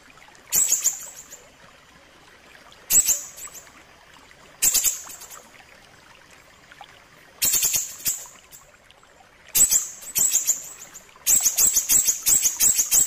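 An ashy tailorbird gives short, very high, sharp trilled phrases every two seconds or so, lengthening into a longer run near the end, over quiet background.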